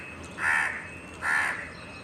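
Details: A crow, one of two that had been calling at each other for a long time before one flew off, gives two harsh, nasal caws about three-quarters of a second apart, each slightly drawn out, over a faint steady background hum.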